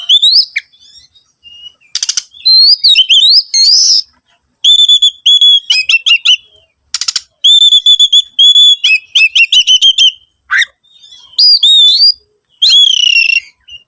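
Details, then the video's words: Oriental magpie-robin singing as a lure to make other birds sing: long sequence of repeated whistled notes and trills, with occasional harsh rasping bursts between phrases. "PANCINGAN SUARA BURUNG KACER"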